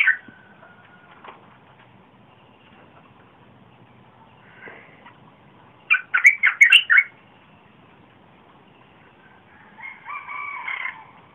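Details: Red-whiskered bulbul song used to lure wild birds and teach young birds, recorded 30 April 2021: long quiet stretches, a short loud burst of rapid chattering notes midway, then a softer buzzy phrase near the end.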